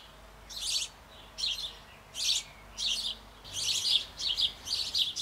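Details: House sparrow nestlings in a Bavarian nest box on an old apple tree, being fed by both parents shortly before fledging: harsh, broadband chirps in irregular bursts, about seven groups over five seconds, some doubled.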